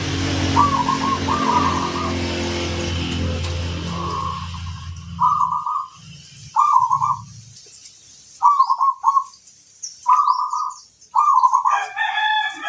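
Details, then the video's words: Local zebra dove (perkutut) song used for luring other doves: short, low, staccato cooing phrases repeated about every one and a half seconds after an opening stretch of low humming noise, with a few higher chirps near the end. "Suara burung perkutut pikat master"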